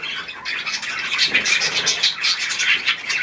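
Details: Budgerigars, kept pets, feeding on a leftover apple: continuous high chattering and warbling with short squawks, dense overlapping calls from several birds.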